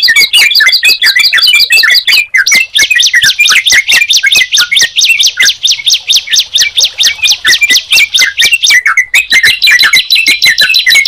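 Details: Sunda pied chat and yellow-vented bulbul placed together, singing loudly: fast runs of high ringing notes shifting pitch in three stretches, mixed with lower slurred whistled phrases, continuous and close.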